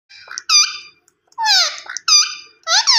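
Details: Green ringneck parrot giving loud, harsh, harmonic screeches, some sweeping downward. Four short bursts come in about three seconds with brief silences between them. No other sounds are clear.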